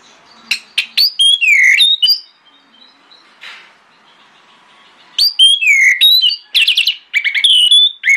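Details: Morning lure song of an orange-headed thrush meant to make others reply: two loud bouts of varied, sweeping whistles and chattering notes with a quiet gap between.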